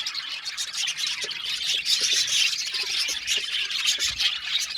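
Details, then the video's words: Budgerigar aviary colony chorus with overlapping shrill chirps and chattering warbles from numerous birds, a constant high-pitched bustle. "Budgie amazing chirping sound | Budgies calling sound to make him happy"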